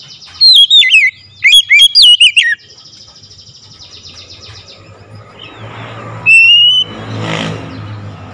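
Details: Oriental magpie-robin calling loudly: a rapid series of bright, sliding whistled notes dropping in pitch, packed into two quick bursts over about two seconds, then quieter with a low vehicle rumble and one thin rising whistle near the end.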